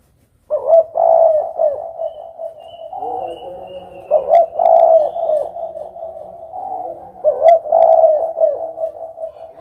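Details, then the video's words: Repeated spotted dove coo phrases, loud and throaty, each swelling then easing, with a lower secondary tone beneath and roughly three strong bursts spread across the recording. "suara burung derkuku"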